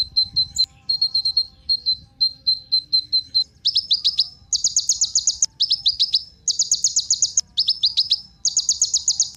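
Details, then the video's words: Kolibri Ninja sunbird, used to goad other birds into song: short groups of thin high pips, then loud bursts of rapid, sharply falling chirps repeated in clusters about every second. "Kolibri Ninja Pancingan Penggacor Burung Cocok Buat Isian Segala Burung"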